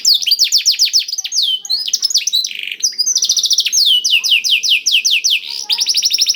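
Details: Lure song of a canary filled with blackthroat phrases: rapid sequences of descending whistles, a short buzzy section, then long runs of sweeping notes ending in a fast trill, loud and continuous.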